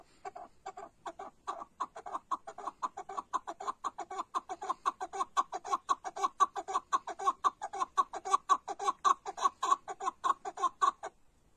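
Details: A chukar partridge gives a long rhythmic run of rapid, throaty chuck notes, evenly spaced and building slightly in loudness over about eleven seconds, then ceasing abruptly; no other sounds.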